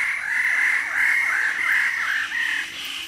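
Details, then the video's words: Close-up recording at Labilabi of Wallace's standardwing calling as an animated group from the junior perch. Continuous raucous, nasal calls overlap in a rough, wavering chorus that fades slightly at the end. "Wallace Standard / Wallace's Standardwing. CU, Animated Group Calls From The Junior Perch"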